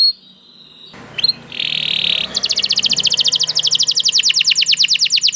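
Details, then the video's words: After a quiet start and a rustling patch, a canary breaks into a bright, fast rattling trill of sharp downward notes that keeps going steadily to the end over a soft background murmur. "The Lazy Canary Sounds Immediately After Hearing the Sound of the Canary This One || Voice of Canary"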